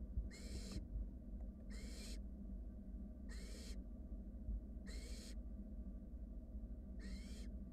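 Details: Five rasping begging hisses, each roughly half a second, repeated at about one-and-a-half-second intervals by wild barn owl nestlings in a nest box while a sibling takes its time swallowing a rat; low hum throughout.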